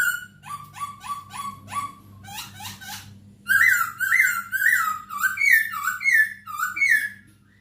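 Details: Masked laughingthrush in full song for tutoring caged birds: a series of short downslurred whistles, a pause of rough notes, then loud fluty warbled phrases tumbling one after another over a low background hum.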